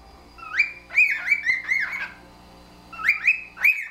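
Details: Two pet cockatiels, housemates for three years, in a friendly whistling conversation: wolf whistles with extensions, clear rising-then-falling whistled phrases traded back and forth, a burst of several notes, a pause, then another short exchange.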